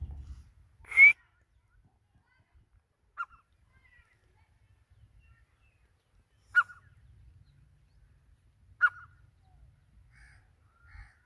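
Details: Grey francolin, the local teetar, calling in widely spaced single sharp notes every two to three seconds against a quiet background.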